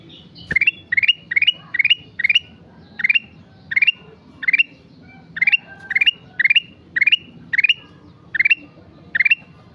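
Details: Lively sooty-headed bulbul pours out a steady series of short bright phrases, each four quick notes climbing upward, repeated about twice per second through the whole stretch.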